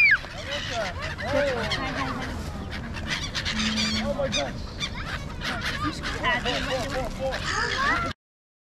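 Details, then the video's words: Birds flying in a noisy group around Marina Mall in Kuwait, watched by a crowd. Overlapping sharp, rising and falling squawks form a busy chorus, with people talking nearby, ending abruptly. "Angry Birds at Marina Mall (Noisy Birds)"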